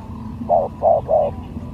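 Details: Three quick hollow coos in a row from a spotted dove kept as a lure during a skill competition, with low background rumble.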